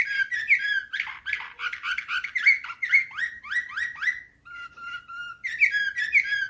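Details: Canary in Slavujar nightingale-style song: rapid chattering trills flow into a run of rising slurred notes, then a steady whistled tone, before bright warbling returns.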